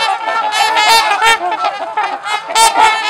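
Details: At LaSalle Park, Ontario, Canada, trumpeter swans socialize with a steady stream of resonant, trumpet-like honks, overlapping voices forming a continuous noisy chorus.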